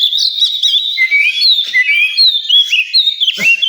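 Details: At a bird singing contest, an oriental magpie-robin pours out continuous bright whistled phrases, slurred notes sweeping up and down with sharp accents, amid a dense chorus of other songbirds.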